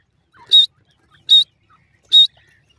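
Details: Female partridge in a cage gives three evenly spaced, loud, rasping short calls about four fifths of a second apart, with faint soft notes in between.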